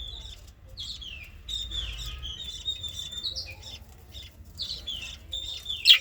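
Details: Budgerigar babies, known locally as bajri, keeping up a soft, continuous warble of short gliding whistles and chirps, fairly even in loudness, with a faint low hum underneath and one sharp burst at the end.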